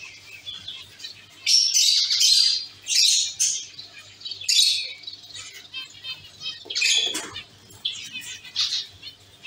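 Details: Zebra finches in a caged colony: a series of short nasal squeaks and buzzy chirps in separate bursts, with soft rustling or wing flutter between calls.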